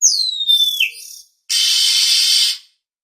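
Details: Oriental magpie-robin (kacer) sound used as a trapping lure: a long, high whistle slides steadily downward, and after a short pause comes a harsh, hissing rasp lasting about a second.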